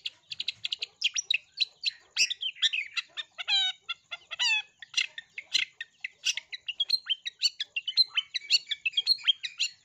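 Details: Long-tailed shrike lure song full of imitated sparrow bursts, played to get other shrikes singing; rapid chatter, two nasal buzzy phrases, then a long run of quick repeated chirps.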